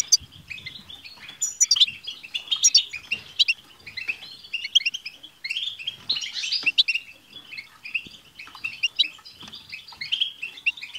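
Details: A group of European goldfinches in a dense chorus of twittering, with 'tsts' notes, used to prompt a pet goldfinch to sing. Bright chirps and trills overlap continuously, with a few sharp high clicks scattered throughout.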